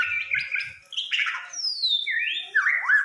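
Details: White-rumped shama fighter bird giving rich varied song: chattering notes, then a long descending whistle and looping slurred phrases, some low rumbling at the start.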